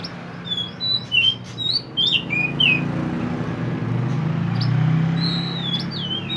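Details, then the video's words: Pied bushchat, called mantenan, singing actively as a tutor recording for songbirds: a scatter of short high whistled and twisting notes in bursts, then a pause and a few falling slurs, over a loud low hum. "mantenan gacor burung masteran / chirping sound bird"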